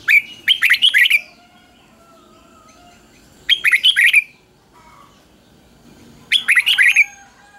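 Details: Red-whiskered bulbul kept as a cage bird sings an easy three-syllable doubled song meant for young birds to copy. Three rich, chattering phrases come roughly every three seconds over a low background hum.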